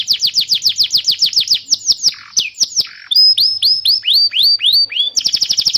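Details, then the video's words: Canary song for tutoring young canaries and reviving non-singing birds: a quick series of downslurred notes, a few slower swoops, then clear rising whistles and a final dense high trill. "Suara burung kenari gacor Pancingan kenari paud kenari macet bunnyi"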